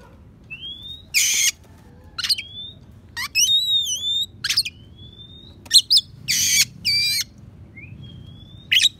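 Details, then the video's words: Oriental magpie-robin singing a mimicry-filled song carrying sparrow and prinia phrases, used as a training recording for other songbirds; clear rising whistles alternate with harsh buzzy bursts and sharp chirps, spaced irregularly over a quiet background. "Kacer Isian Gereja,prenjak pass untuk masteran"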